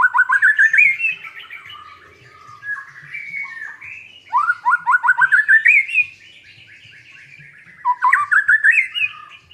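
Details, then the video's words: Song of a white-rumped shama, a newly kept bird, played to make a quiet shama sing: three loud bursts of quick, rising, slurred whistles repeated in fast runs, separated by softer rambling warbles. "MURAI BATU GACORAN pancingan burung macet"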